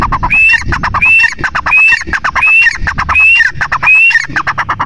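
Grey francolin giving loud, harsh, high-pitched calls, each opening with a rising whistled note, repeated about every second and a half in a steady run.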